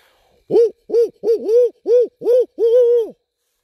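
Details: Wild barred owl at Landis Arboretum on a full-moon night walk, hooting back in answer to a person's owl calls: seven loud, hollow, arched hoots in quick series, the last drawn out, in near silence.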